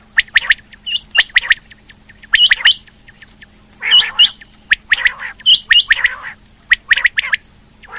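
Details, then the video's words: Calling female rain quail, given as clipped, bright chirps in twos and threes separated by short pauses, broken by a couple of rougher, raspy notes and accompanied by a faint constant hum. "Batair Ki Awaz | Female Quail Calling | Rain Quail Calling"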